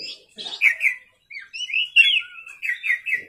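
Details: Nighttime gacor song of an Oriental magpie-robin (kacer), recorded as a lure for other birds: bright whistled phrases with quick rising and falling slurs, broken by short gaps, plus a faint low murmur at the start.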